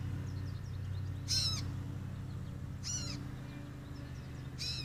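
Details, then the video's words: A catbird gives three harsh, nasal, cat-like mews, each about a quarter second long and spaced about a second and a half apart, over a steady low hum, recorded on a deck trail camera. "cute kitty cat bird calling out"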